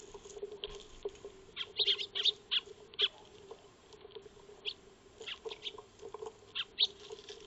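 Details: Eurasian tree sparrows feeding in a backyard, captured by a solar-powered motion-triggered wildlife camera; short scattered high chirps and clicks in loose bursts over a steady low hum.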